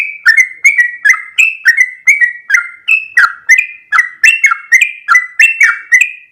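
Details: Lively sooty-headed bulbul song in the long 'ropel' style, an unbroken chain of ringing whistled notes, each sharply struck and slurring down, about three per second throughout.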